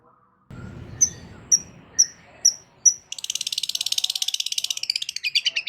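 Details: Long-tailed shrike singing loudly to goad other shrikes into replying: low rumbling noise, then five thin high whistled notes about half a second apart, giving way to a dense, rapid buzzy chatter.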